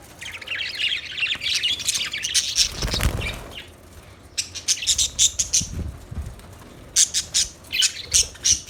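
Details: Budgies chirping in a steady stream of high, buzzy warbling chatter, then sharp repeated chirps in quick bursts, with some wing flapping and low rustling in the middle.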